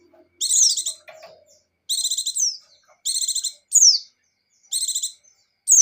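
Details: White-eye of the buxtoni form in energetic 'gacor' song: short buzzy chattering bursts about every second and a half, each followed by a quick high descending whistle, with brief silent gaps between phrases.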